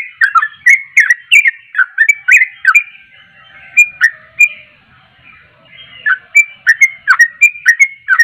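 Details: Sooty-headed bulbul in vigorous song meant to excite other bulbuls: rapid bright whistled chirps, dipping and rising, in dense bursts, with a quieter pause midway before the chattering notes resume.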